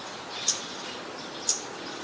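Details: Scarlet-backed flowerpecker in Ubon Ratchathani, Thailand, on 15 March 2021, giving two sharp, very high, clicky tsit notes one second apart over a steady background hiss.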